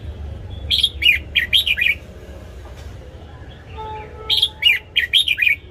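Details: Morning song of a red-whiskered bulbul, used to train caged birds. Two similar phrases of five or six crisp, bouncy whistled notes, each lasting about a second, repeated with a short quiet gap between.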